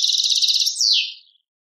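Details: Short burst from an Algerian European goldfinch singing in the Tadmait style: a quick, tinkling trill of high notes followed by a slurred downward buzzy note.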